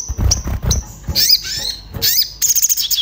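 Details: Orange-bellied flowerpecker in an agitated state looking for a mate, a lure to start birds singing: low knocking sounds at first, then two harsh, high, sliding calls and a quick ticking trill at the end.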